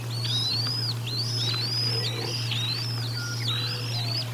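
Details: Nest cam at Decorah North, 04 01 2022, bald eagles during a feeding: a rapid chain of high, arched whistles, five or six in quick succession, above a continuous low electrical hum.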